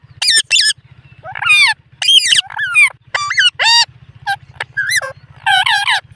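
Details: An Indian ringneck parrot talks, trying to say "mitthu" and "mammi" in a string of short, nasal, word-like syllables rising and falling in pitch, over a steady low electrical hum.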